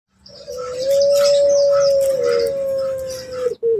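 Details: Captive spotted dove bred for a melodious voice in Bantul, Indonesia, giving one long, smooth, low drawn-out coo lasting about three seconds, with faint chirps of other birds in the background.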